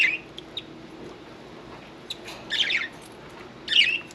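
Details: Pet budgerigar indoors, a few scratchy chirps, two louder warbled calls near the end, over a steady room hum.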